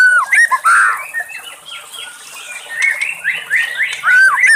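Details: White-rumped shama singing in the wild: loud, rich whistles and descending slurs, a softer pause, then quick rising notes repeated several times.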